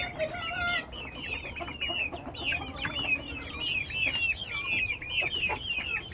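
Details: Chickens from a home flock: a busy stream of high, hooked peeps repeated roughly once a second, a few lower drawn notes early on, and light clicks.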